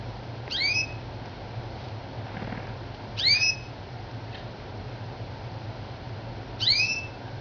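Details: Crested canary outside its cage indoors; three short, clear downslurred whistled chirps with a bright overtone, spaced about three seconds apart, over a low steady room hum.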